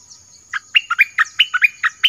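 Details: Orange-headed thrush song used for luring wild birds and training young birds: after a brief quiet start, crisp chirps come in quick succession, dipping and rising, over a faint constant high whine.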